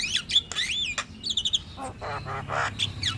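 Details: Caged Javan myna singing loudly: swooping whistled notes followed by a run of rasping, chattering squawks, then a short high whistle at the end.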